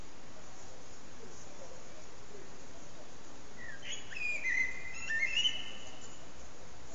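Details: Common blackbird singing its evening song at sunset, recorded on an HTC Desire phone; after a few quiet seconds, two short bursts of warbled, whistled phrases arrive close together over a steady background hiss.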